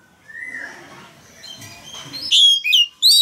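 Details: Male Oriental magpie-robin kept in a cage, singing to encourage a young bird to sing: a faint rising whistle and quiet background, then loud, sharp, high whistled notes with quick slurs near the end.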